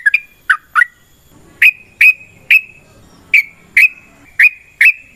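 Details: Yellow-vented bulbul song used as a lure for other bulbuls: separate, sharp whistled notes, a few descending, then a run of evenly spaced bright chips roughly every half second, with faint background rustle.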